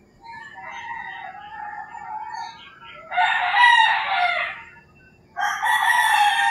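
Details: Several roosters crowing in the early morning in rural Philippines, a distant crow answered by two loud close harsh crows, each lasting about one to two seconds.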